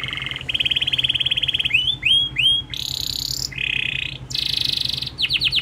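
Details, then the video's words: Local domestic canary singing a fast, varied song of bright trills, rolling buzzy phrases and quick rising whistles, switching pattern every second or so. "Kenari Lokal Super Gacor Cengkok Juara"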